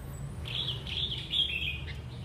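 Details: Red-whiskered bulbul, a wild-caught adult known as a keen singer, delivers one unbroken, rippling warbled phrase of clear whistles lasting over a second, with faint low rumble behind.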